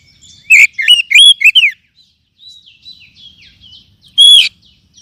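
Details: Kacer, the Oriental magpie-robin, in a lure recording for caged birds: a lively cluster of varied whistles and chirps, soft twittering in between, then one loud harmonic whistle near the end.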